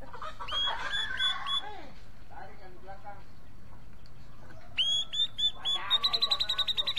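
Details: Grey-cheeked bulbul singing: harsh chattering notes at first, then after a pause a string of high, clear whistled notes that breaks into a fast, even series of pulsed notes near the end.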